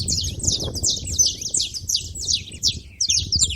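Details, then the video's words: Busy saffron finches at a feeding station: fast, high, scratchy chirps repeated nearly three times a second, several birds calling together above a low background hum. "canário da terra fazendo barulho na seva"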